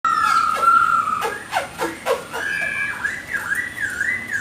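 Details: Chinese hwamei singing a chattering song meant to stir other birds to sing; undulating whistled notes weave up and down over a steady hiss, with a few sharp downslurred notes in the middle.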